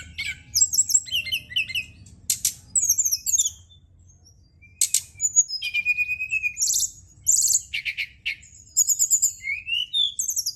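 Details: Varied high song of a Brown-chested jungle flycatcher, recorded at night to encourage singing: clusters of rapid chattering notes, sharp squeaks, a pause, then slurred whistles and trills.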